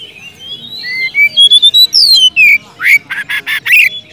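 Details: An Oriental magpie-robin in full song calls out to a rival with loud, varied whistles that slur up and down, then breaks into a rapid run of harsh, buzzy rasps. The song is used to prompt quiet magpie-robins to sing.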